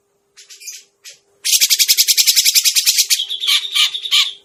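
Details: Grey-cheeked bulbul, lure sound for bird trapping: two scratchy notes, then a loud, sustained chattering rattle of rapid buzzy pulses breaking into rougher, uneven calls near the end.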